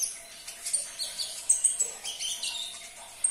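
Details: Caged-bird prompt recording of a sunbird, or konin: a continuous run of high, thin twittering and squeaky chirps, jumbled and fast, over a low steady hum.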